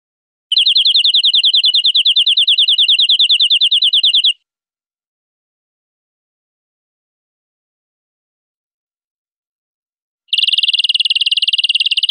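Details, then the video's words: European greenfinch song: a fast, tightly packed rattling trill lasting almost four seconds, then a long silence before another dense trill starts near the end. "GREENFINCH SONGS"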